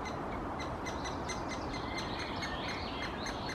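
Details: A Great spotted woodpecker nestling calls from the nest hole in Helsinki, Finland, in June, as the female parent visits to feed it: a steady stream of rapid, high, thin chirps overlapping into insistent chatter, over constant background hiss.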